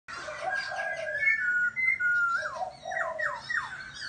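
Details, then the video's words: Laughingthrush singing a chirpy, warbling song: clear whistled notes near one pitch slide and waver, then a run of quick downward-swooping phrases repeated in rapid succession, with a faint low background hum. "Chim Khướu kêu ríu rít"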